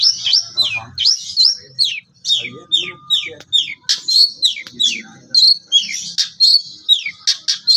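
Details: Priangan long-tailed shrike, a young bird losing its spotted juvenile plumage, delivering a lively song of sharp downslurred high notes repeated at a steady pace, mixed with buzzy trills and brief clicks, with faint low background noise.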